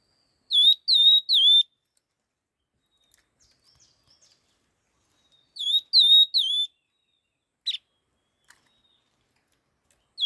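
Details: Laughingthrush in fast, rapid song. Two bursts of three loud dipping whistles come about five seconds apart, with soft chirps and short clicks between them.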